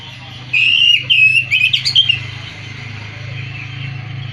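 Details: Caged-type Oriental magpie-robin giving clear whistled phrases, a run of bending and trilled notes lasting under two seconds, then fading to a steady low mechanical hum.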